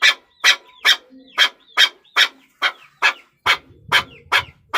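Chukar partridge giving loud, harsh clucking notes, about a dozen in five seconds at a steady pace, with a faint low rumble in the background.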